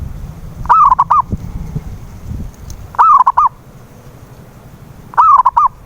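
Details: Zebra dove lure song for coaxing a silent bird to sing: three cooing phrases about two seconds apart, each a long coo then short coos, with low rumbling noise early on.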